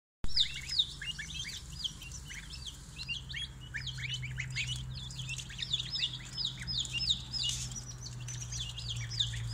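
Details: Two batches of baby chicks in a brooder, a dense chorus of high, short peeps overlapping continuously, with a steady low mechanical hum running underneath.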